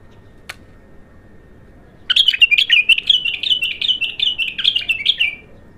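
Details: Young untrained bulbul on its first song: after a single faint click, a dense three-second chattering warble of rapid high notes, rhythmic and slightly descending at the end, with a faint low hum.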